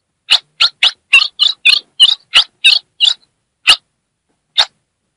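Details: Female ultramarine grosbeak calling and chattering to excite a male, northeastern Brazil: quick run of about ten rasping chips, then two isolated notes after longer gaps, with no background sounds.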